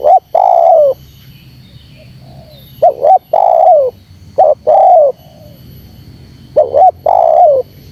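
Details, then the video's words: Provoking call of a spotted dove for luring wild birds: paired short hoots, each followed by a sustained coo that drops away. Four phrases repeat at uneven gaps over a low steady drone. "Suara Terkukur Menekan Rapat Lawan Pemancing EMOSI Terkukur liar"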